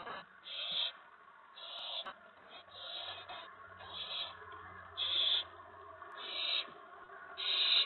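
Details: Owl recorded on an evening nest camera at 8:06 PM on April 19, 2017, as the adults bring food to the owlets; short raspy hissing bursts repeat roughly once a second over a low steady hum.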